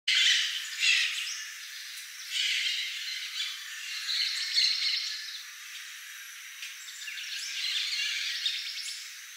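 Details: Macaws in Manuel Antonio, Costa Rica, giving harsh, raspy squawks in loud bursts near the start, around two and a half seconds and four and a half seconds, then softer, scratchy calls trailing off, with faint hiss behind.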